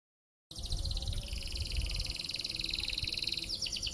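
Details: Canary song: after half a second of silence, a sustained high buzzy trill of rapid repeated notes runs continuously, shifting to sweeping slurred notes near the end, over low rumbling background noise.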